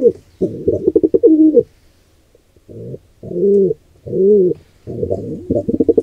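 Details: Wild pigeons at the nest of a squab under attack from a pigeon intruder pair: fluttery rapid coos, then three separate smooth arched coos at even spacing, ending in more quick pulsing coos.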